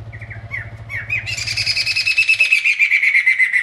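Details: Masked laughingthrush singing loudly and actively: a few whistled notes slurring downward, then a loud, harsh, chattering rattle of rapid buzzy notes held for over two seconds, over a low pulsing hum at the start.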